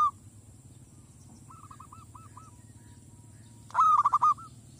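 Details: Village zebra dove luring wild doves: a soft run of short coo notes early, then one loud rattling burst of clipped coos near the end, over a steady background drone.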